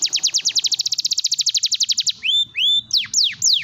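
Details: Canary song intended to stimulate quiet canaries to sing: a rapid high trill of descending notes, then a few long upslurred whistles and loud sweeping downward notes, over a faint low hum.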